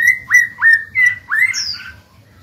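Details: Caged black-throated laughingthrush singing to stimulate other birds to sing: clear whistled notes near one pitch, each opened by a quick upward slur, repeated about every third of a second, ending in a higher descending whistle.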